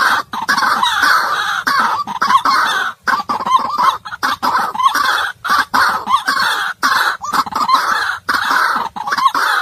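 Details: White-breasted waterhen calls played back to lure birds into traps, a rapid run of harsh grunting bursts with many short gaps.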